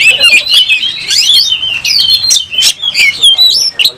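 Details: Aggressive oriental magpie-robin fanning its tail while fighting, singing a dense, loud jumble of shrill whistles, slurred rising notes and scratchy chatter, broken by short gaps.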